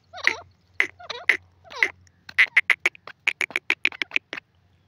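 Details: Francolin (teetar) giving several rough, wavering calls, then a quickening series of short, clipped, rattling notes that speeds up and stops, over a faint low hum.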